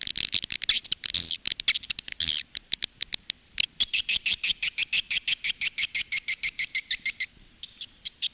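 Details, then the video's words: Women Flower swiftlet lure, the calling and roosting sound used by Indonesian farmers: mixed high twitters early, then a steady rapid series of sharp chirps, roughly three a second, fading out near the end. "SUARA PANGGIL DAN INAP BURUNG WALET"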